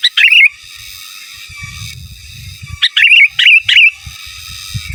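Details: Sooty-headed bulbul in lively gacor song, giras and menggaruda style, used as master song: quick bubbly warbled phrases in rapid series, one at the start and three close together later, over low rumble and a steady high whine.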